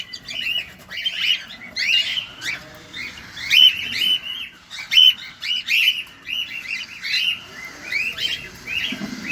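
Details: Feeding cockatiels kept in a cage, close up: repeated rising chirps, about forty a minute at uneven spacing, with a few sharp thin whistle notes mixed in.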